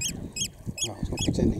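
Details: Oystercatcher chicks close up at RSPB Snettisham in Norfolk, England, July 2016; four short, high, slightly downslurred peeps spaced about a third of a second apart, with low rustling underneath.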